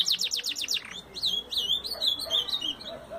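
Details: Belgian canary: a quick trill of high descending notes gives way to a softer, wavering warble of rolling whistles over noticeable background noise.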